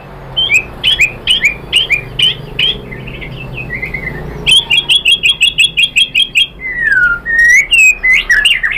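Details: Song of the white-rumped shama used to provoke other shamas: rapid series of repeated sharp chirps, evenly spaced, a stretch of descending slurred whistles, then another fast chirp run and looping fluty notes.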